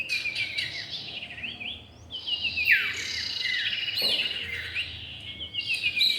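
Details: Male and female common iora used as bird-lure audio. Busy high chirping and a long downward-sweeping whistle near the middle, with stacked buzzy trills and quick twittering phrases overlapping.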